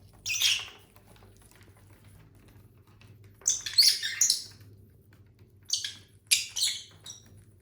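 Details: ['Pet lovebirds from a household flock of six, caged birds eating and singing; three bursts of harsh, high, scratchy chirps spaced a few seconds apart over a faint low hum.']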